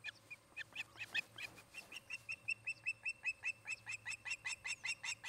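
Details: Nest-cam recording of an osprey pair at the nest, Charlo, Montana, afternoon of 17 August 2018: loud, rapid, piercing chirps repeated more than twice a second, speeding into a steady insistent chatter, with a low background hum.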